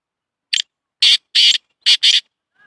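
A black francolin gives its harsh, grating call: a short clipped note, then four rasping notes in two pairs, all high and scratchy, with no other sounds.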